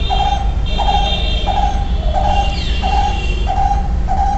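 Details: Barbet calling: a loud, hollow, even note repeated steadily about every three-quarters of a second, each one flat and slightly ringing, over a constant background hum.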